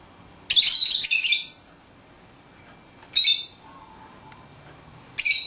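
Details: Pet lovebirds playing outside their cage give loud, harsh, high-pitched squawking chirps, one long burst of about a second followed by two shorter ones spaced a couple of seconds apart, with quiet room background between.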